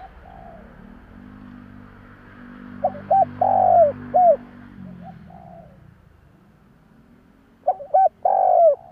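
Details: Spotted Dove lure cooing to make other doves answer: two loud phrases of short clipped coos around a longer falling coo, over a steady low humming background.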